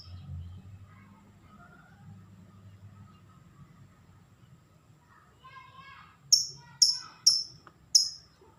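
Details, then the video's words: Lovebird calling: after low murmuring background voices, a brief harmonic chatter, then four loud, sharp, high shrieks spaced about half a second to a second apart. "BURUNG LOVEBIRD ACONG"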